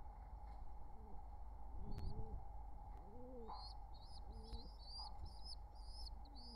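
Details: Wild pigeons courting near nestlings, summer 2023: a series of deep, rounded coos with thin, high squeaky chirps above them, thickening toward the end, over an ongoing mechanical hum.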